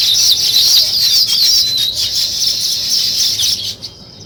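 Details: Weaver birds building a nest: dense, continuous high chattering and squeaky chirps that overlap without pause for nearly four seconds, then fade abruptly near the end.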